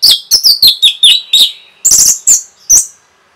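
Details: Orange-headed thrush singing rapidly to stir up other birds: about ten loud, clipped, high whistled notes in quick succession, some sliding downward, others sharp and ringing.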